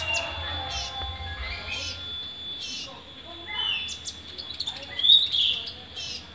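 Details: Van Hasselt's sunbird, a kept bird newly caught and already singing after one day, in Pemalang, Central Java, Indonesia: thin, high chirps and short sweeping notes, with a bright squeaky burst near the end over low hum and faint voices.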